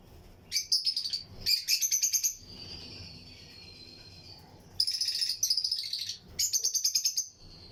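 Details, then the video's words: Lutino lovebirds chirping in a breeding colony cage within an aviary: repeated bursts of rapid, high, rasping chirps, four series in eight seconds, with a thin sustained whistle-like tone between them. "Lutino Lovebirds Breeding Colony Cage - Chirping and Relaxing Sound"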